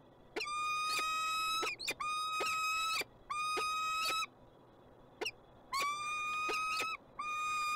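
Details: A peregrine falcon in Montreal, Canada gives about five drawn-out, wailing, harmonic notes, each roughly a second long, with short gaps between them and a faint background hum.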